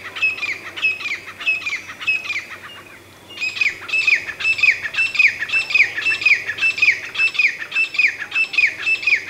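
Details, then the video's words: Grey francolin (teetar) giving a long run of loud, ringing, harsh notes. A short series is followed by a pause, then a steadier, faster string of repeated squeaky calls about two per second. "Grey Francolin Voice - Grey Francolin Sound - Grey Francolin - Teetar Ki Awaz - Teetar Voice"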